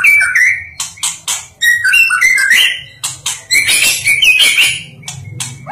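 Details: A national champion White-rumped shama sings a rich, varied song of clear whistles, rapid trills and harsh chattering notes in quick bursts, with a faint low hum behind.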